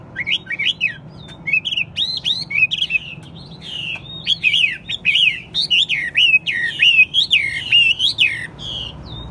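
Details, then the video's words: Kept Chinese hwamei, described as a good singer with a fine voice, delivers a lively run of whistled rising-and-falling phrases, some notes sharp and clipped, over a faint low hum. "Hót tốt, Đấu tốt. Siêng mỏ, giọng hay"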